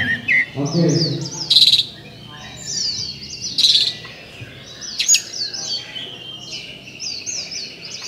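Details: Oriental magpie-robin (murai kampung, kacer), a winning bird at a 2018 songbird contest in Sri Aman, Sarawak, Malaysia: quick, high whistled phrases with slurred, sweeping notes and sharp bursts, heard over faint crowd voices.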